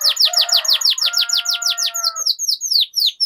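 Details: Rolling canary song intended to train other canaries: loud descending swept notes repeated about five times a second over a steady lower whistle, slowing into spaced, separate falling notes.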